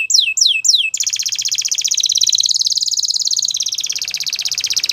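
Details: Gloster canary song opening with three quick downslurred notes, then a sustained, rapid, buzzy trill that rolls on steadily to the end.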